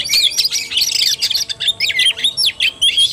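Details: Oriental magpie-robin singing tarung (fighting) style, 17 August 2021: lively stream of rising and falling whistles and sharp chips, quick-fire and irregular, ending in a clear high upslurred whistle.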